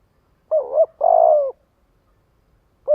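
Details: One full spotted dove phrase calling others together, a brief undulating double coo leading into a longer, even, slightly falling note, with the start of the next phrase at the end.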